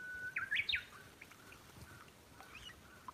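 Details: Brown-eared bulbul visiting a backyard bird feeding spot, giving a short burst of three loud, slurred, squeaky notes rising and falling, followed by faint scattered chirps over quiet background.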